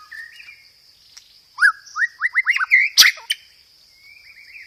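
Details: White-rumped shama lure song rich in 'roll tembak' rolls and sparrow-fight imitations: quiet warbling, then a fast run of about six bright upswept whistles, a harsh burst, and soft trailing warbles, with a steady high whine behind.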